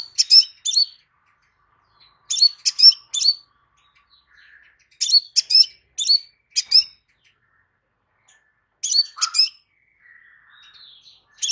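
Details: Crimson sunbird singing to provoke another sunbird into replying quickly: clusters of two to four thin, high, chattering chirps repeated every few seconds, with short silent gaps between groups.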